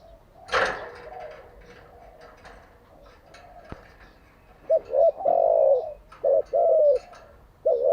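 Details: Decoy spotted dove kept for training caged doves, giving a low cooing phrase near the end after a quiet stretch with knocks and faint rustling; short double notes lead into a longer falling coo.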